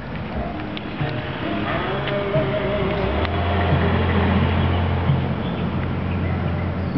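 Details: Loud low vehicle or boat engine rumble with wind, no animal voices.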